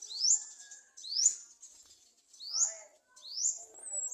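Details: Garden sunbird parents beside a nest, trying to feed their young. Thin, high upward-sweeping calls come four times, roughly once a second. Each rises steeply and ends in a bright high note.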